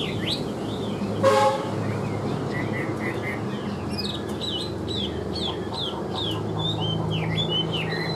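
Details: Caged, 85% tame Chinese hwamei giving an even song of short whistled notes, some rising and some falling, repeated steadily over a low background hum, with one sharp click early on.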